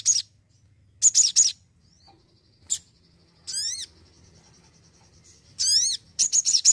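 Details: ['Crimson sunbird giving scattered high chirps, two short triple-note bursts and two sweeping, harmonic calls between pauses, in an energetic delivery.']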